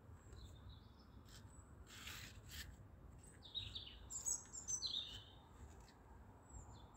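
A stonechat gives two dry ticking bursts, then a few thin, high chirps in quick succession. Low wind rumble runs underneath.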